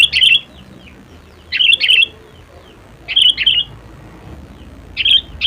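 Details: Sooty-headed bulbul (kutilang) giving brief bubbly phrases, each a tight cluster of chirpy notes, repeated roughly every one and a half seconds against a quiet background.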